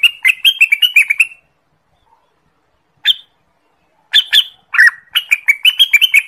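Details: Song of the orange-spotted bulbul, Pycnonotus bimaculatus (local names cucak wilis, rengganis), used for trapping and training birds: quick series of clear chirping whistles, a lone note after a gap, then a busy rising and falling phrase.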